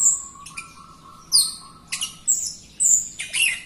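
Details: Jalak Rio myna in full song, used to train other birds to sing: high whistles and bright chirps above a steady low whistled tone, with loud bursts roughly every half second and short gaps between phrases.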